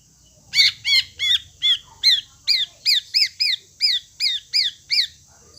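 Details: Greater green leafbird voice used to rouse a caged bird that has stopped singing: a quick series of about fourteen loud, sharp, downslurred squeaky notes, each with a bright overtone, evenly spaced.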